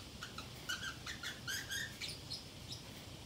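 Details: Pacific parrotlet kept indoors and alone, talking to itself: rapid quavering chirps and short whistled notes in quick succession, about four per second.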